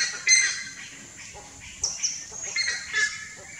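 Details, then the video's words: Nestling buff-necked ibis calling from the nest: sharp, high squeals in short bursts, some sliding down in pitch, with quieter gaps between clusters. "BUFF-NECKED IBIS young in the nest"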